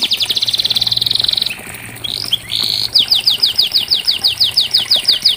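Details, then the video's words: Canary song played as therapy to get a canary that has stopped singing to join in. A fast high buzzy trill of rapid repeated notes, a few short slurred notes, then a series of sharp descending chips about four per second. Faint low hum behind. "Terapi Kenari Macet pasti ikut Bunyi"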